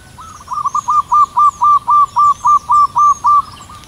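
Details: Local wild zebra dove (perkutut lokal) in long morning song from a height in cool air; a steady run of about twelve evenly spaced, loud rolling coos, each clipped and bouncy, over soft background bird twitters.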